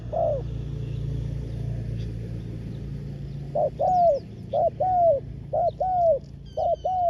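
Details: Spotted dove acting as a trapping decoy for wild doves: one coo at the start, then after a pause a run of loud, rhythmic coo-croo phrases, with thin high chirps from other birds overlapping.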